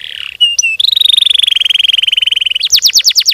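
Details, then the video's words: Singing canary, in a long nonstop song with fast, tight phrasing, used as a lure to draw song from other canaries: a brief falling note, then a long rapid trill of buzzy repeated notes, ending in sharply descending sweeps. "Burung kenari gacor ngerol ngedur panjang, Suara Kenari gacor speed rapat untuk pancingan kenari"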